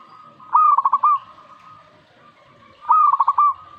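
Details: Zebra dove singing in reaction to a master recording. Two cooing phrases come about two seconds apart, each a clear rising note broken into a rapid string of bubbling, trilled notes. A faint continuous tone runs underneath.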